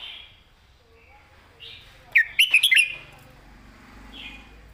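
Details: Red-whiskered bulbul, master song with distinct phrasing: one lively run of five or six quick whistled, rolling notes in the middle. Faint soft warbles come before and after against a quiet background.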